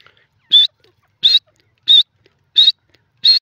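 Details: Grey francolin, known locally as gora teetar, giving loud, shrill, high-pitched notes with a slight upward inflection, five of them repeated about every 0.7 seconds against an otherwise silent background.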